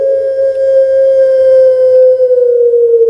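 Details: A kept Barbary dove (Streptopelia risoria, "puter pelung") from Indonesia, recorded as a training recording for other doves, gives one long, smooth, mellow coo that holds a steady mid-low pitch for about three seconds and sags slightly at the end.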